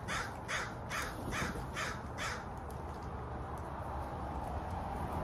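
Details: Crow calling a run of about five rough, repeated caws in the first half, each roughly half a second apart, over steady low rumbling background noise.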